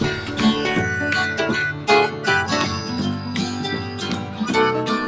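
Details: Upbeat acoustic guitar music in a country or bluegrass style, plucked notes throughout, with no animal sounds.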